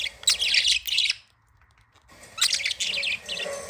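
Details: Happy, playing budgies chatter in scratchy bursts of rapid chirps and clicks, falling silent for about a second midway before the chattering resumes just as busily.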